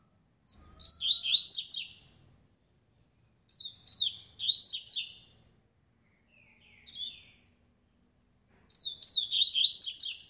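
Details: Fast, strong black-collared seedeater song: rapid phrases of sharp, high twittering notes and buzzy trills about a second long, repeated with pauses of a couple of seconds, plus one short softer note between.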